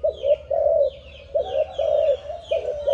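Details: A young spotted dove of Malaysian stock, seven months old and bred from a stuttering decoy bird, utters short bursts of deep coos about every half second, with light bird chirps above.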